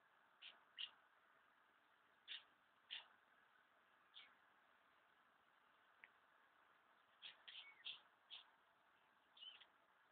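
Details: Numerous house martins ready to leave their nesting places, giving short scattered chirps high in pitch, singly and in quick pairs, spread over several seconds against a steady background hiss.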